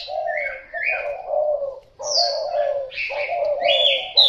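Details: Thai spotted dove cooing: low, hoarse rolling coos in three phrases, each a few notes, with brief higher chirps and thin whistles from other small birds between and over them, and a sharp high note at the end.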